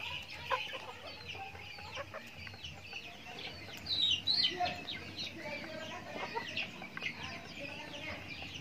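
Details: Backyard chickens at their daily feed; dense chattering peeps and clucks, rising to a louder burst of high calls around the middle, over a steady low hum.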